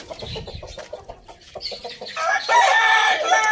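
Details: On a farm in a village, where roosters eat tomatoes, soft rapid clucking runs for two seconds before a rooster breaks into a loud, drawn-out crow that fills the final second and a half.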